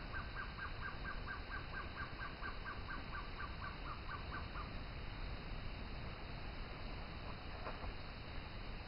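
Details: Gartered trogon singing in forest near Torti, Panama: a steady series of roughly seventeen clear, short notes repeated quickly for about four and a half seconds, then fading out against a constant background hiss and hum.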